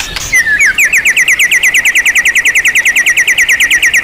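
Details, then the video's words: Champion-class white-rumped shama on a master tutoring recording, its song full of rich imitated material. A fast series of about thirty repeated, slurred whistled notes, each dipping then rising, rattles off evenly at a bright mid-high pitch. "MASTERAN MURAI BATU KELAS JUARA SEGUDANG MATERI | MURAI BATU FULL ISIAN MEWAH TERBARU"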